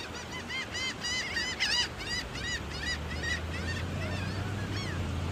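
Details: Gulls calling while being fed, a dense chorus of many overlapping squealing, yelping calls with harmonic bands, repeated rapidly over steady low rumbling background noise.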